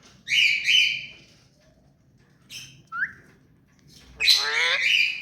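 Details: Tame pet rose-ringed parakeet letting out a long raspy screech, a brief harsh note and a small rising squeak, then a loud rolling, warbled squawk at the end.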